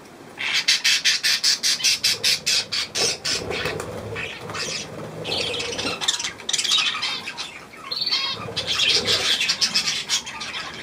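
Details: Budgerigars with their young at millet, 3 May 2024: a fast run of harsh calls repeats about every half second for several seconds, then gives way to mixed chatter and squawks.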